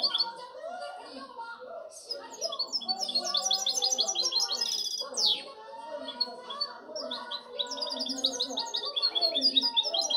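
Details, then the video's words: Hybrid European goldfinch singing, 2019–2020: rapid, varied twittering with liquid trills, chattering runs and a slurred downward sweep midway, delivered as an unbroken rambling stream of notes. "Mi mixto de jilguero"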